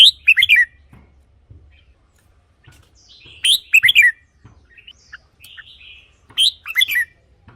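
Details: Red-whiskered bulbul, a caged songbird, used as a decoy or played to rouse other birds: three short bright warbled phrases spaced about three seconds apart, each a quick rising-falling cluster of liquid notes.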